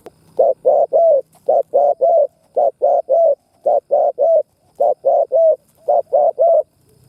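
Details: Spotted dove decoy bird cooing in the thúc, gù and cà lăm styles used to stir other doves to sing: six phrases of three low, hollow coos, each group repeating about once a second, the last coo of each slightly longer.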